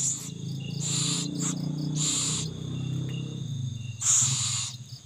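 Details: Owl feeding young: a run of four breathy, rasping hisses, the last the loudest, over a low rumbling hum and constant high cricket song.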